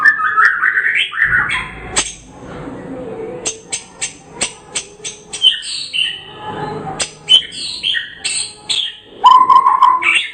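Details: White-rumped shama of the Medan type, a national champion bird, singing in ngerol style: loud, varied phrases of rich whistles, rapid rattling trills and sharp clicking notes, some rising, with short pauses between bursts.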